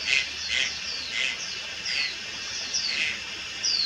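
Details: Young Malayan night heron at Lugu, 30 July 2022, giving a run of rough, husky notes roughly every half second, mixed with thin high downslurred whistles.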